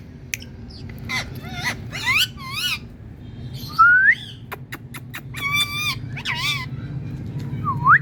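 A parrot gives a run of loud, warbling whistles, sharp rising squeals and harsh clicking squawks, one after another, over a steady low hum.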